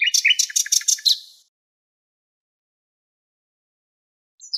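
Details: Nightingale producing a fast sequence of harsh, buzzy repeated notes for just over a second, then silence, with a faint high note returning at the close.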